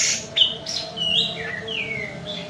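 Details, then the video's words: Kapas tembak white-eye from Medan singing a short, fast passage of high sliding whistles and chirps, several notes falling in pitch, over faint background hum. "KAPAS TEMBAK MEDAN GACOR ISIAN SUARA PEDAS NGEROLL SPEED NEMBAK EDAN LEPAS TROTOL"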